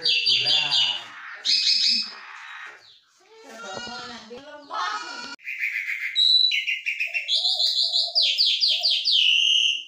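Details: Asian pied starling in lively, chatty song of varied sounds: harsh grating phrases at first, then a run of bright repeated whistles and trilled notes following each other quickly.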